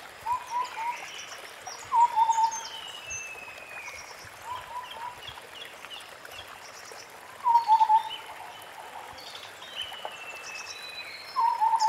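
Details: White-browed scimitar babbler calling in forest: short phrases of low, hollow whistled notes repeated at irregular gaps of two to five seconds, with faint high twittering birds and constant background hiss.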